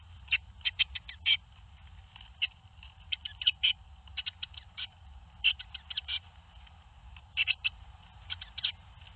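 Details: Tits at a nest box in Théding on 21 May 2019, on the day seven young fledged. Bursts of short, scratchy, clicking calls come in quick clusters of three to six, separated by brief pauses, with a low steady hum underneath.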